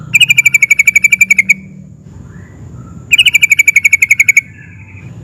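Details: Yellow-vented bulbul, locally trucukan, excitedly rolling in 'ngerol' style to get every other bulbul answering: two long rapid trains of uniform bright chattering notes, about four per second, split by a quiet gap.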